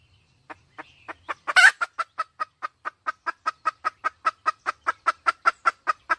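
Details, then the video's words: A wild red junglefowl hen opens with soft clucks and a sudden harsh squawk, then settles into a fast, regular string of clucks, roughly four each second. "Tiếng gà mái rừng"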